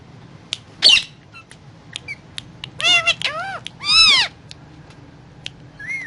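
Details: Indian ringneck parakeet eating guava, with scattered clicks and short notes, a harsh burst, then two groups of arching harmonic squawks and a brief whistled note at the end, over low hum.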